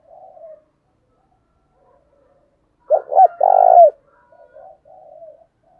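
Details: Decoy spotted dove calling to stir up wild doves: faint soft cooing, then one loud phrase of two short notes and a long vibrating coo, followed by quieter murmuring coos.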